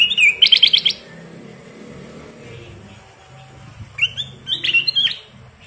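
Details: Ruby-throated bulbul (kutilang emas) in full lively song: two short bursts of clear whistled and warbled notes, the second with rising and falling slurs, separated by a quiet pause over a low indoor hum.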